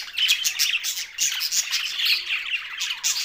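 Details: Loud, close budgerigar chatter from Larkana, Sindh: rapid overlapping chirps, buzzy squawks and downward-sliding warbles running without a break.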